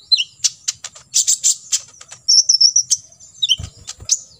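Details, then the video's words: Olive-backed sunbird, 'full tembakan isian' master song: dense rapid high chirps and clicks, a run of thin trilled notes, a down-slurred whistle, and several low thumps near the end. "KOLIBRI NINJA (KONIN) FULL TEMBAKAN ISIAN"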